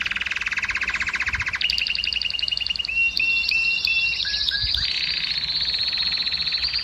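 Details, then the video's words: Canary song said to stimulate females to breed: fast, high, buzzy trills of rapidly repeated notes, switching abruptly to new trill tours about every one and a half seconds, then ending in a sustained rolling phrase. "كناري مجنون - الكناري المجنون سبحان الله أفضل صوت لتهييج إناث الكناري وحثهم على الزواج"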